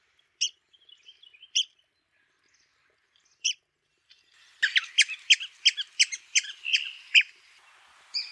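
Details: ['Red-cockaded woodpecker, a social bird of southeastern United States pine forests: a few isolated high squeaky notes, then a rapid, excited chatter of sharp squeaks lasting about three seconds.']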